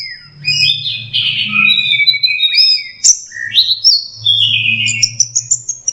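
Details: Learning song from a young orange-headed thrush, with longer sliding whistles falling and rising, a loud upward sweep, then a series of short high notes repeated about twice a second, over low hum.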